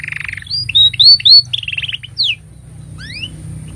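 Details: Canary song used to train young canaries: a buzzy opening, a few loud upslurred whistles, a short rapid trill and sharp falling notes, then near silence with two faint rising slurs.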